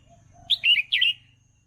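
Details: Red-whiskered bulbul song used to train young birds: one quick, rich warbled phrase of slurred whistles, with a soft low hum underneath.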